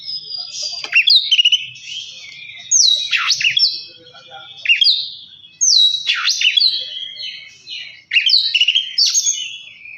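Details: Oriental magpie-robin singing in a recording meant to spur a silent bird into full song: four bold phrases about every two to three seconds, each a loud downward-slurred whistle followed by rich, warbled trills and a fading tail.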